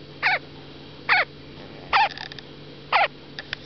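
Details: A five-day-old Chilean flamingo chick on grass for the first time, at WWT Slimbridge, gives four short, high, sharply falling peeps, about one per second, over a quiet background.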